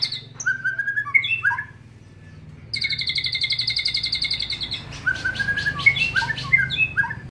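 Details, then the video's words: White-rumped shama song mixing imitations of lovebird and canary in a long cililin phrase: clear whistled slurs and sliding notes, a pause, then a high rapid trill before more descending whistles. "MURAI BATU isian Love Bird ,,kenari cililin Panjang"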